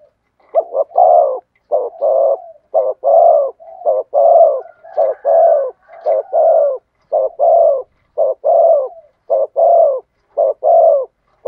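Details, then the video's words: Spotted dove giving cooing song in the thổ sấm style, a deep booming voice. Rhythmic coo phrases repeat steadily, about one per second, each a short, throaty, pulsing coo with brief gaps between. No other notable sounds. "cu gáy thúc gù giọng THỔ SẤM chuẩn nhất/ the cuckoo sings beautifully"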